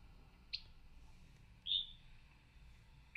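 Yellow-breasted Chat giving three short, high, varied notes spaced by long pauses, each note different from the last, over a faint room hum.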